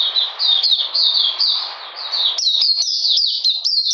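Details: Kept Oriental magpie-robin, cold rainy day, 13 June 2020: high falling whistles over a hissing background, then a crisper burst of rapid, clipped whistled notes.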